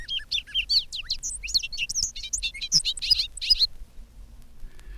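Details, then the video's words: Bobolink song over a meadow, bubbling and banjo-like, notes following one another with increasing rapidity into a jumble of high metallic, twanging notes lasting under four seconds, then quiet. "and their bubbling banjo-like songs greet our ears with the exuberance of college boys. One note follows another with increasing rapidity"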